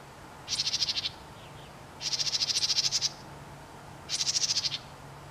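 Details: A house wren calling from a fence post gives three dry, rapid chatters, each a fast burst of high buzzy pulses lasting about a second, over a faint low hum.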